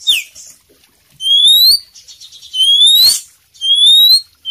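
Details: Oriental magpie-robin of the kacer poci form in loud, constant 'gacor' song with full 'isian' content: three clear rising whistled notes, each about half a second long, spaced roughly every 1.3 seconds, with faint short chirps between.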